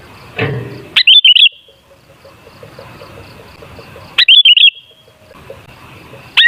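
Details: Sooty-headed bulbul song played as a lure to get bulbuls singing: bubbly whistled phrases of four notes recurring roughly every three seconds, with a faint thud and soft distant chirps between.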